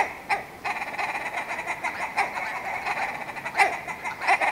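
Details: Willow ptarmigan calling: a steady, harsh, nasal chattering run of clucks with a few sharper accented notes, continuous through the clip.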